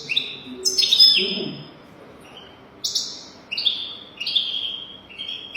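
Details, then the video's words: Goldfinch song played to teach young European goldfinches: a series of short high twittering phrases with buzzy notes, separated by brief pauses, and faint low murmuring early on. "تغريد رهيب طائر الحسون حفاضة لتعليم طيور الحسون بدون أخطاء"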